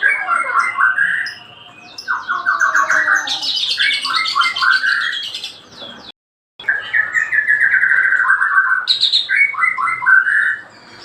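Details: White-rumped shama in daily song, delivering rapid strings of rich whistled notes and high chattering trills almost continuously, broken by one brief silent gap.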